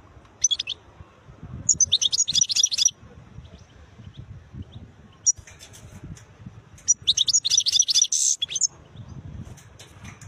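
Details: European goldfinch, described as wild, giving two separated bursts of rapid, high, liquid twittering and chirping notes, each about a second long, divided by a quiet gap with low background rumble.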